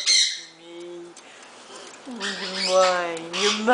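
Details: A wild-caught male Congo African grey parrot, at least 45 years old and a rescue, gives a sharp squawk, then steady nasal tones, then voice-like warbling, while a woman talks softly and affectionately to him.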